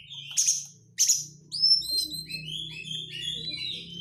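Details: Lure song of an Oriental magpie-robin, rich in rapid crecetan chatter: two harsh buzzy bursts, then a run of clear high whistled notes over a low steady hum.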